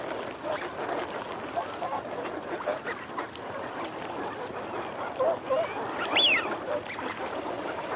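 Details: Eurasian wigeon, males and females: a long stretch of low flock murmur and growling, broken late by two short notes and one clear arched whistle.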